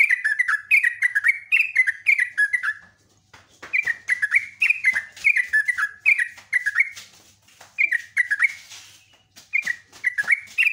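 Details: Lure recording of an actively singing sooty-headed bulbul: long runs of rapid, babbling whistled notes with brief breaks, accompanied by some rustling and tapping noises.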